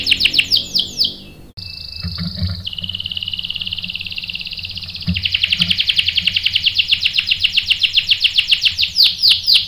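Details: Canary bait song used to stir other canaries into sharp rolling replies: quick descending whistled swoops, a held buzzy tone dropping in pitch, then a long fast even trill.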